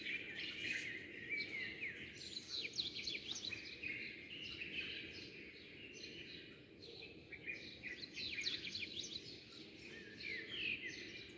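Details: Many sparrows chirping as dawn breaks, birds flying in and out. Rapid high twitters and sharp tweets crowd together in bursts. The chorus thins briefly around the middle before resuming strongly, over a soft constant background noise.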